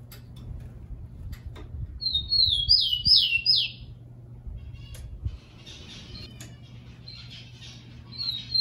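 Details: Tico-tico (rufous-collared sparrow) kept in captivity, sung to train birds: a whistled opening and a quick run of descending slurred notes, later followed by faint chirps and scattered clicks.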